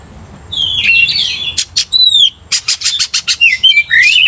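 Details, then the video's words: Agitated Oriental magpie-robin, roused to aggression by a loud-singing rival kacer, opens with buzzy warbling, then a pure slurred whistle, followed by a fast burst of sharp repeated chips and closing twisting whistles. "cepat emosi Kacer dipancing kacer GACOR ini"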